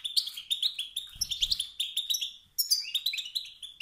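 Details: Rival-provoking calls from a male wild goldfinch: an unbroken chain of sharp, rapid chirps and tinkling trills, with a faint low thud midway.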